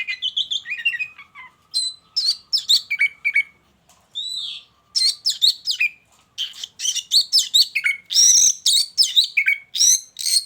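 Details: Caged white-rumped shama in a hanging cage beside a mating pair, singing varied phrases of sharp whistles, chattering notes and buzzy squeaks in quick bursts with brief pauses between them.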